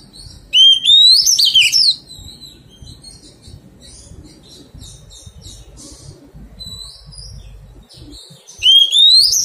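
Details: Oriental magpie-robin, a wild-caught bird under taming, opens with a loud rising whistled phrase, then several seconds of faint, scattered high twitters, and ends with a second bright upslurred whistle.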